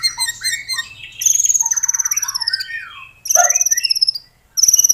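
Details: Gacor white-rumped shama song used as a lure for a caged bird: short whistles, then long high pulsed trills that fall slowly, over a faint low steady hum.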